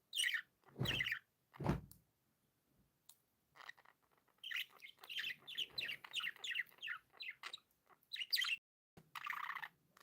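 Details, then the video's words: Several happy pet budgerigars: two loud thumps open, then a run of quick, lively chirps and squeaky warbles, ending in a buzzy chattering burst. "Happy budgies sound"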